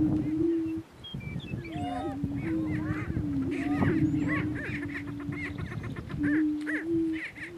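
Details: Greater Prairie Chicken lek in northeast Kansas with two males battling for dominance: long low booming drone, punctuated by upswept whoops and rhythmic cackling notes, a short drop in level near the first second.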